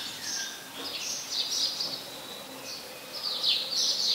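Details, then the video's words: House sparrow, a very common resident, recorded in Ubon Ratchathani, Thailand, on 5 February 2020: scattered high, thin chirps in loose clusters over a steady background hiss, with a louder burst of overlapping notes near the end. "นกกระจอกใหญ่ (House Sparrow )"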